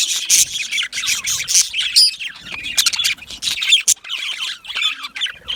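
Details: High chirps and loud grating squawks from a colony of yellow male budgerigars in an aviary, coming in quick clustered bursts with brief gaps between them.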